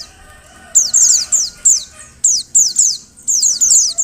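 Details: Female Oriental white-eye, calling so that males will sing, gives quick high falling chirps in bunches of two to four after a short quiet start.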